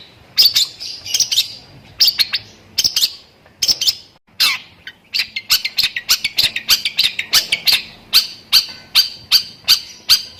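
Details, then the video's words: Long-tailed shrike song stuffed with lovebird imitations, 'tembakan' style: scratchy high chirps in uneven groups, a brief gap, then a fast, steady series of piercing chips. "BURUNG CENDET ISIAN LOVEBIRD - MASTERAN BURUNG CENDET TEMBAKAN"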